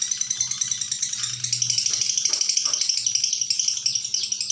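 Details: Lovebird giving its long, unbroken ngekek chatter, recorded as a tutor for young birds. A dense, fast, high-pitched stream of scratchy chirps repeats without pause throughout, with a faint low hum beneath.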